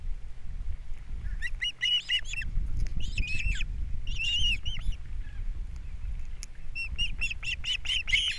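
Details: Nesting osprey pair at Captiva, April 3, 2022, the male bringing fish and the female feeding babies: clustered bursts of shrill, whistled chirps in four groups, the last a rapid climbing series, over a low background rumble.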